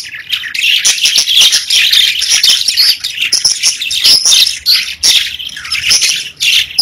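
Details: Pet budgies, a small group, chirp and warble nonstop: scratchy, high-pitched chatter with rapid clicks and thin whistled notes overlapping throughout.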